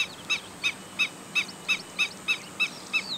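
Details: Black-winged stilt calling a short series of clipped, piping kek notes, roughly three per second, evenly spaced against a quiet background with a faint chirp from another bird at the end.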